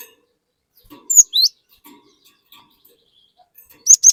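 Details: Cinereous tit singing to provoke untrained tits into song. Two loud high whistles, one falling and one rising, come early. A soft pause follows, then another quick pair of piercing notes at the end.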